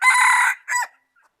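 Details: Highland rooster, noted for its fine crowing, recorded 11 November 2019: a loud, harsh, strongly harmonic burst about half a second long, then a shorter second note, then quiet.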